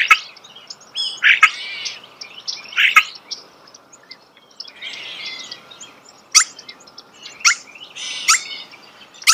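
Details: Starling song heard close: scratchy, warbled phrases and thin whistles alternate with abrupt clicks and snaps, loosely spaced, with softer chattering between the louder notes.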